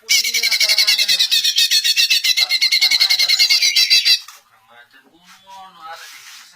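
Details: Greater green leafbird song meant to provoke other leafbirds into answering. Loud, rapid, rasping chatter runs about four notes per second for four seconds, then stops abruptly, leaving faint human voices in the background.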